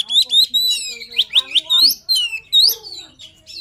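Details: Short burst of luring song from a poci-type Oriental magpie-robin: rapid loud upslurred whistles repeated roughly every quarter second, with softer lower notes beneath.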